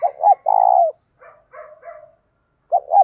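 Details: Morning lure call of a spotted dove in the 'giọng thổ' voice mixed with 'thúc gù'. One full phrase, two short notes and a long coo, is followed by soft broken murmurs, then the start of another phrase.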